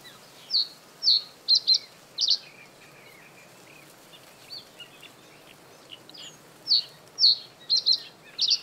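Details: Male common reed bunting singing from reeds above water in breeding season to defend territory; two short phrases of bright chirped notes, several quickly doubled, about six seconds apart, with faint twittering of other birds between.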